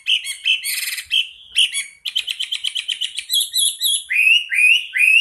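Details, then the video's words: A national champion Chinese hwamei pours out a loud, varied song: rich whistles, quick repeated chattering notes and rising slurred phrases, high-pitched and continuous with no other sounds. "KICAUAN INDAH BURUNG HWAMEI / WAMBI"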